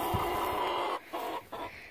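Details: A hen, the only growly one in the flock, in the chicken yard on a sunny spring morning, gives a low, harsh growling churr held about a second, then two shorter bursts, with faint yard sounds.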